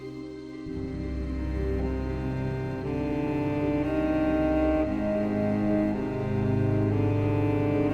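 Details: Slow orchestral music of cello and other bowed strings, with sustained low notes shifting every second or so.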